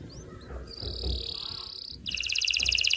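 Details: Canary song for mating stimulation: a sustained thin high trill over faint background noise, then a bright, rapid run of repeated clear notes.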